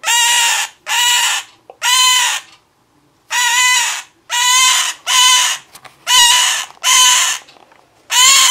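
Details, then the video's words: Indoor pet male scarlet-chested parakeet crying as his keeper again tries to get him to step up, his mate next to him; a run of about nine harsh, grating cries, each under a second, in an uneven rhythm. "Scarlet Chested being a cry baby"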